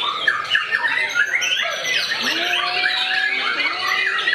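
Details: White-rumped shama in attack mode against a rival, pouring out harsh squawking notes mixed with quick whistled slides and buzzy trills, plus a few lower drawn-out tones, unbroken and energetic from start to finish.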